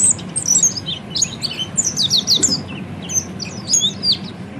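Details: Oriental white-eye training song for caged birds, a lively jumble of high, sharp twittered notes and quick slurs, coming in bursts separated by brief gaps over faint low hum.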